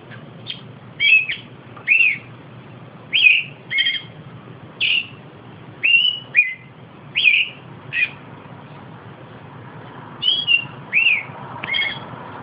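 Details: Austral thrush of southern South America singing: clear whistled phrases, each a short slurred note rising then falling, given in separate bursts about every second, over a low steady background hum.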